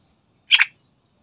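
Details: Sooty-headed bulbul's lively song, meant as a lure to make other bulbuls call: a single loud, rich, gurgling double note, brief and bubbly, against near silence.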